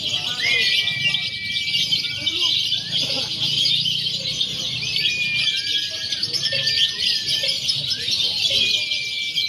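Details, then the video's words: Several lovebirds in a mock contest combining konslet, fighter and paud singing styles, meant as training before real competition; unbroken shrill twittering with long, thin, steady whistles rising and falling over it. "SIMULASI LOMBA LOVEBIRD BEBAS AKSI (KONSLET, FIHGTER, PAUD)"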